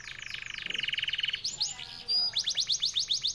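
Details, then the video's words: F1YS canary song in a short burst: a fast rolling trill giving way to brief chirps, then a run of sharp descending whistled notes repeated several times a second. "Kenari F1YS durasi panjang speed rapet jernih emosi"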